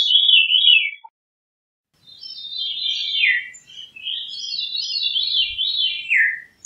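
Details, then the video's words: Veery singing: descending, spiraling fluty phrases that swirl downward from high to lower pitch, several overlapping rolling series after a brief pause; no other sounds. "Veery Bird Song, Sound, Call, Chirp, Melody - Zorzalito Rojizo Canto - Catharus Fuscescens"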